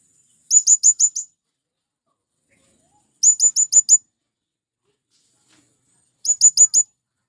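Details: Male blue-crowned hanging parrot calling to companions to draw in wild birds: three quick bursts of four or five sharp, very high squeaky notes, spaced about three seconds apart, with clean silence in between.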